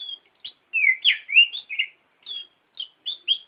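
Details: Oriental magpie-robin (kacer) singing for bird training, with a quick string of slurred whistles, downward-sweeping notes and short high chirps in close succession.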